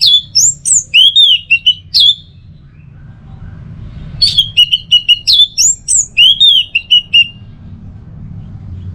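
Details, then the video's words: Two long bursts of teler song from an orange-headed thrush. Each holds a dense run of upslurred and downslurred whistles and quick repeated notes, separated by a short quiet interval. "Pancingan Burung ANIS MERAH Agar Selalu Bisa Menikmati Telernya"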